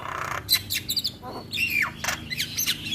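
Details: Starling (jalak) recorded in the morning as a lure and master sound for training birds to sing: a busy run of sharp chirps, squeaky whistles and short buzzy squawks, some notes sliding downward, with faint low background hum.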